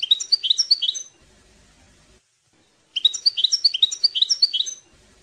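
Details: European goldfinch tutoring song for young birds: a short tail of fast twittering, then after a pause a new phrase of rapid, bright, jangling notes and trills lasting about two seconds.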